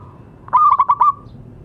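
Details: Local zebra dove, kept as an active singer to encourage quiet doves: a single short phrase of five fast, rolling coo pulses that blend into a brief trailing hum.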